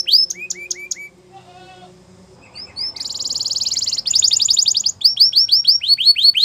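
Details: Belgian canary song for training: scattered short whistles and a low murmur, then a dense high buzzy roll, faster trills and repeated downward whistled sweeps.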